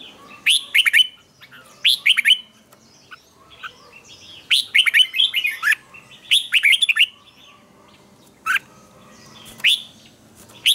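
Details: Red-whiskered bulbul morning song with tense, twisted double notes, used as lure-bird song for training. Loud chirpy whistled phrases come in clusters every second or two, with brief quiet gaps.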